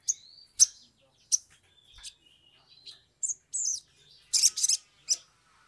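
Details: Sumatran leafbird singing in a lure recording meant to make other birds start singing. Scattered high whistles and chirps build to clustered squeaky bursts near the end.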